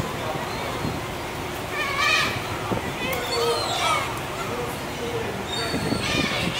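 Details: A large flock of black-tailed gulls on the deck of a Sado ferry, 18 July 2024, gives drawn-out, nasal mewing calls, several in a few seconds, over steady engine and wind rumble with people's voices.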